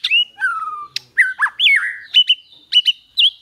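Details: White-rumped shama training song in the 'kéo thuốc lào' and 'giọng dây' styles: long descending whistles, bent slurred notes, then short paired chips repeated at an uneven pace.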